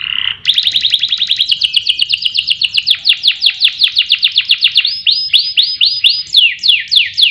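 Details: Canary singing as a lure and tutor for competition songbirds: a brief steady note, then a long rapid rolling trill of repeated notes that slows into looping upward-curved whistles repeated about every quarter second.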